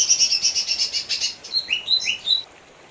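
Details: Lesser green leafbird giving a pulsing, buzzy trill of about a dozen beats, then a handful of sweet rising whistled notes before falling silent.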